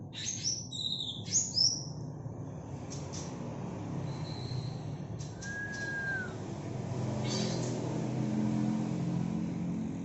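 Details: Greater green leafbird of the local Banyuwangi type at Alas Purwo, giving 'bebeci' notes, which are typical of young birds and become rarer with age. Short sharp high chirps come first, then a slurred whistle, over a steady low rumble like traffic.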